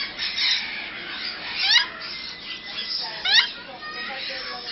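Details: Captive African grey parrots in Bangalore, mating, produce a rough hissing squawk bed with two crisp rising whistled slides about a second and a half apart.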